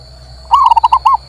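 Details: Local male zebra dove, recording used to coax a mute bird into singing: one quick phrase of six or seven bubbling coo notes, the first drawn out and the last slightly longer, over a constant faint electrical whine.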